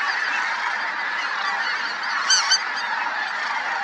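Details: Snow Geese in flight at Merced National Wildlife Refuge, recorded 21/02/21 with Sandhill Cranes present. Massed honking from a large flock forms a constant din, broken by two brief louder nasal calls near the end.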